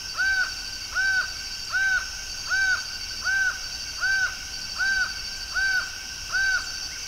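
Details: Laughing falcon calling before dawn on 27 October 2023 in Brasília, Brazil, repeating loud, arched, hollow notes at a steady pace of about one every 0.8 seconds over a constant high insect-like hum.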